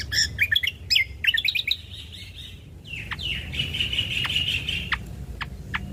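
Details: Ruby-throated bulbul song used as a lure and tutor recording: quick clusters of sharp chirped notes give way to a long wavering warbled tone broken by clicks, with steady low background hum.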